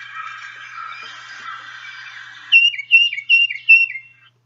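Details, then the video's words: Tufted Titmouse song in its variable Peter, Peter, Peter pattern: after a stretch of faint background birdsong, four clear whistled two-note phrases, each dropping in pitch, repeated about every half second. "So here's a few different Tufted Titmouse songs."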